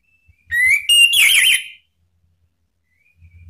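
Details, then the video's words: Male orange-headed thrush from Indonesia answering spontaneously in open ngeplong song, used as a lure to spur other birds to sing: one loud whistled phrase, a rising slur then a rapid warbled tumble, followed by silence. "ANIS MERAH JANTAN SPONTAN ikut NYAUT NGEPLONG ¦ PANCINGAN AM ¦ TERAPI MACET"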